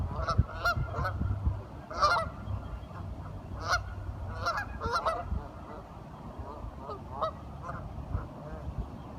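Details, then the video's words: Curious ducks talking among themselves: short nasal honks in loose clusters, loudest early on, then thinning to softer scattered calls over a low rumbling background. "Duck Sounds - Curious ducks talking"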